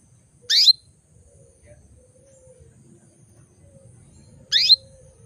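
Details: Female canary calling males to bring them into breeding condition; two brief high descending chirps about four seconds apart over a low hum.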